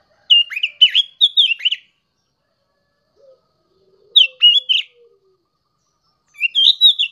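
A young sooty-headed bulbul sings three short bursts of bubbly, fluty chirps, each about a second long, with a faint low note between.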